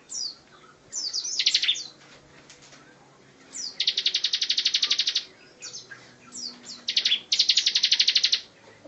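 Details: Bar-winged prinia (ciblek) delivering rapid 'tembakan rapat' song meant for tutoring other cage songbirds; quick descending chips lead into long, even, buzzy trills of over a second each.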